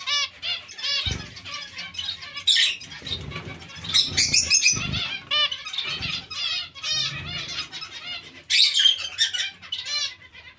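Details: Colony of zebra finches kept together with other small finches: a dense chatter of short nasal, harmonic calls from many birds overlapping throughout, with wing flutters and low thumps of birds moving about.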